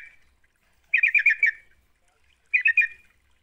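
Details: Sooty-headed bulbul lure song to coax a quiet bird into singing: two short bursts of fast, bubbling chatter about one and a half seconds apart, with quiet between them.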